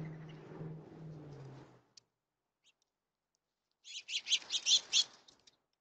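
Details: Birds on a rainy day: after a low steady hum fades and a pause, a quick burst of about six bright, high chirps runs in close succession, then tails off.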